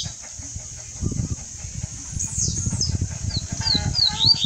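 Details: Double-collared seedeater singing during song tutoring; after about two seconds come high, thin whistled notes and sliding slurs, several quick downward strokes repeated toward the end, over constant low thumping and rustling noise.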